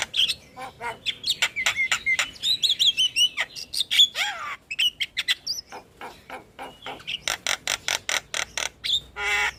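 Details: Energetic starling song for stimulating caged starlings to sing: dense runs of loud clicks and ticks interwoven with squeaky whistled twitters and a buzzy rasping note near the end.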